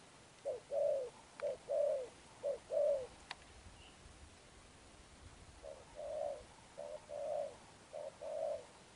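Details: Wild-caught spotted dove cooing in the style locally called Sấm Thổ: two phrases of soft, low, hoarse coos, each a short note followed by longer rolling coos, about four seconds apart, with a quiet background.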